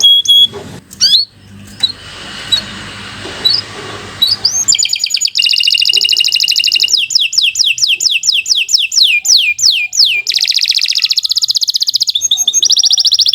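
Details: Atlantic canary in long, vigorous song, used as a training model for other canaries: after a noisy, scratchy opening, fast rolling trills of repeated high, downward-swept notes with buzzy rattles.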